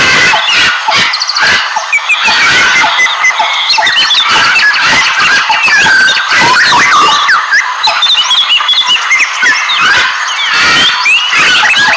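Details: Macaws in the wild: a flock fills the air with harsh, raucous squawks and screeches, many overlapping and coming in rapid bursts throughout.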